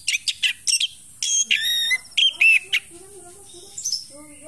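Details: Orange-headed thrush singing strongly while in moult: loud, varied phrases of sharp high notes, buzzy harmonic-rich bursts and ringing whistles in quick succession, followed by softer lower warbled notes and a faint voice underneath.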